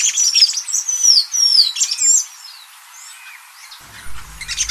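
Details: Golden-chevroned tanager, a tanager resident in southern and southeastern Brazil and Bahia, singing a run of thin, high, downslurred squeaky notes in quick succession, then quieter scattered chirps toward the end.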